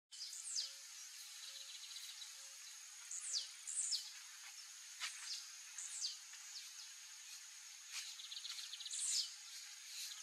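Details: A blue-black grassquit in the wild during breeding season gives short, high, buzzy descending 'tiziu' song notes at irregular intervals over a steady insect drone.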